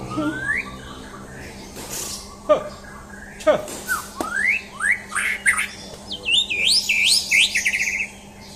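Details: Champion white-rumped shama in a mental test, singing rising whistled slurs and harsh squawks, ending in a rapid run of looping high notes; a steady low hum underneath.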